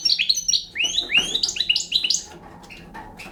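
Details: Bright song from a young Balkan European goldfinch: a run of high, downslurred liquid chirps repeated in quick succession for two seconds, followed by a couple of softer notes and quiet.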